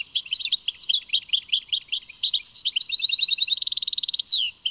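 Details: Singing European goldfinch from Tadmait, a steady chatter of separate chirps that speeds into a quick rattling trill, ending on a slurred note.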